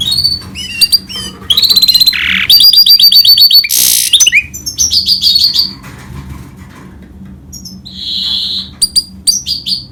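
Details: Hybrid of goldfinch and canary in varied song: bursts of fast high trills, a harsh buzzy phrase, scattered chirps and quiet gaps, then a sustained whistled note and a few final twitters.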